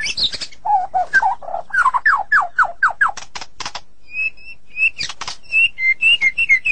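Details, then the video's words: White-rumped shama, said to be sulking, delivering low mellow whistles, then a series of downslurred notes and sharp clicks, followed by short clear whistles spaced by brief pauses. "Terapi super murai yang sedang ngambek"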